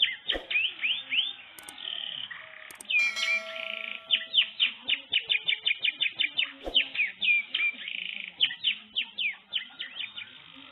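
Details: Pet canary song meant to prompt another canary to answer: a long rapid run of rising and falling chirps and trills, many short notes in quick succession with brief buzzy stretches, plus a few clicks.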